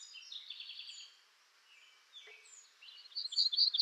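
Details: Black-throated grey warbler singing in western North America: a high, buzzy run of repeated notes opens, then a short quiet gap with soft chips, before a loud burst of rapid, high-pitched repeated notes closes the phrase.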